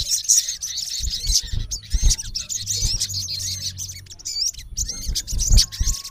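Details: Olive-backed sunbird male calling to a rival, a busy stream of thin high twitters and slurred chirps with brief pauses, over low rumbling thuds.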